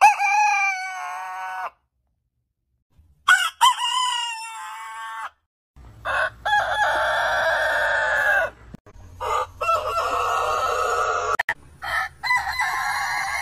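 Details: Roosters of heritage breeds crowing in a spliced sequence. Several full cock-a-doodle-doo crows come one after another, some clean and tonal, others rough and held, with a low background hum between them.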